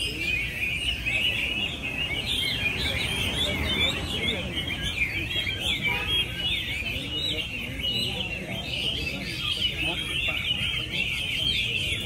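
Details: Chinese hwamei competing in song at Mỹ Đình, 19 July 2020; continuous, bright warbled melody of swooping whistles and fast trills lasting throughout, with background crowd chatter and a commentator's voice.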